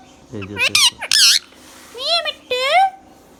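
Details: Indian ringneck parakeet, a green pet talking bird, gives harsh squawks followed by two drawn-out, voice-like spoken phrases with strong harmonics in a small room.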